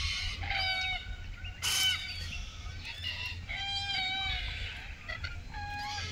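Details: Red-tailed black cockatoos, Keep River National Park, June 2023, filmed while mating. Repeated harsh, slightly rising calls with strong overtones overlap from more than one bird, with a brief loud noise near two seconds.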